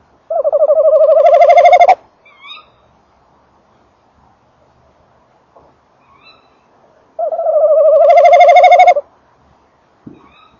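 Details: Male tawny owl at and entering a nest box at 19:48 on 28 December 2013, microphone close to the box, female calling farther off; two long low trembling calls of about 1.5 seconds, roughly seven seconds apart, with faint high squeaky notes between.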